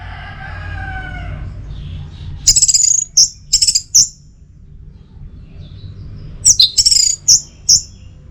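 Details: Orange-headed thrush (anis merah) teler song for tutoring and triggering: a short low warble, then two clusters of piercing high chirps and trills separated by a quiet gap.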